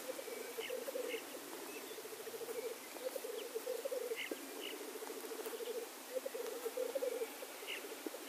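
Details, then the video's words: Black grouse males displaying at the lek: overlapping rolling bubbling phrases, each a few seconds long, run almost without pause, with occasional short higher hissing notes above. "Birkhahnbalz - Tétras lyre - Blackcock lek"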